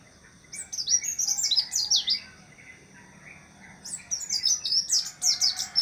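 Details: White-eye delivering quick, high, descending chirps in a lively run, pausing briefly, then bursting into a second rapid twittering phrase.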